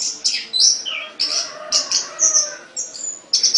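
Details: Caged songbird singing high, sharp chirps and short whistled notes in quick bursts, with brief pauses between phrases and faint low background hum.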